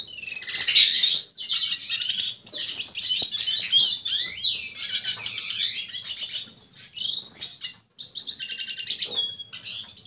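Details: Red siskin singing to court a female: a long, fast, twittering song of high buzzy trills, chattering notes and quick whistled slurs, delivered in near-continuous phrases with two brief pauses, against a quiet background.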